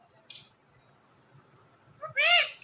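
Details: After a faint early chirp and over two seconds of near silence, a pet parrot from a talking pair utters one loud, harmonic, word-like syllable with a rising-falling contour.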